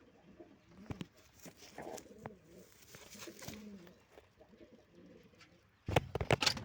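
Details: Pigeon chick in a loft, said to be in very bad condition; soft low cooing murmurs come and go indoors, then a loud clattering burst of noise near the end.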